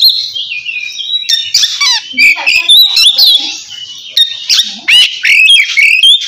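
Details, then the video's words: Calling a rival, an Oriental magpie-robin delivers loud ngeplong song: shrill sweeping whistles, crackling buzzy notes and short rattles in rapid, uneven bursts. "suara kacer ngeplong memanggil lawan cocok buat mancing kacer malas bunyi"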